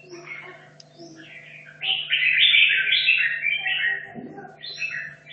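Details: Caged red-whiskered bulbul from Hanoi, kept 2.5 years, practising for a singing competition; after faint chirps, a loud burst of rich, warbled, slurred notes lasting about two seconds, with a steady low hum behind.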